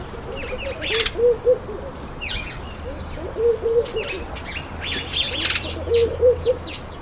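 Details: Speckled mousebirds eating an apple give short, low chattering notes in little bursts about every two and a half seconds, with thin higher chirps and soft clicks between them.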